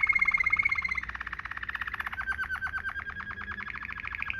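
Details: Rolling 'ngerol' song of a Waterslager canary used to tutor canaries: a fast, even, bubbling trill of rapid pulses that continues throughout, sliding slightly lower in pitch after the first second.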